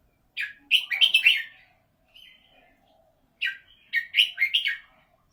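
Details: Caged red-whiskered bulbul with a prized golden voice sings two lively phrases of rapid, liquid chirps, each about a second long, separated by a soft short note and a pause.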